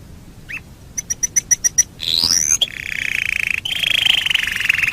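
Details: Master song of a canary, meant for teaching birds: quick clipped chips in a short series, a sweeping whistle, then long continuous rolling trills that rise slightly.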